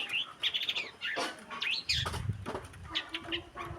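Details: Long-tailed shrike (cendet) in a masteran recording: a quick run of varied, sharp chirps and short whistled notes, some rising and some falling, with a few soft low thumps partway through.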